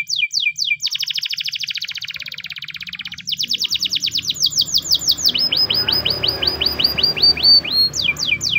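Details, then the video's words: Spanish Timbrado canary in the morning, singing a training song: quick descending notes, a long fine rolling trill, then series of sweeping whistled slurs repeated about twice a second, with faint background hiss. "the best canary training song in the morning! make your canary sing |spanish timbrado"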